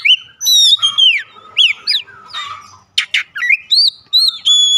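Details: Oriental magpie-robin song used as a daily lure to spur singing: loud arched whistles and steady pure tones mixed with a harsh rasping burst and quick chirps, in a rapid, varied phrase.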